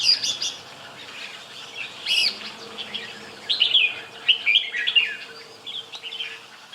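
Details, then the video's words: Red-whiskered bulbul singing: a series of bright, whistled, warbling phrases in short bursts with pauses between, over a low background hum. "Chào mào NK"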